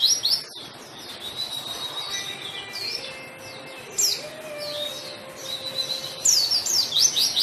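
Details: White-eye singing hard, played to coax reluctant white-eyes into song: bursts of high, thin chirping and twittering at the start, middle and end, separated by quieter stretches with drawn-out steady tones beneath.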